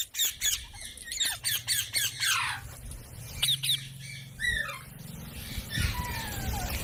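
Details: Parrot giving harsh, broadband squawks in quick bursts, then a few descending whistled notes and a longer, drawn-out falling call, with a soft low rumble underneath.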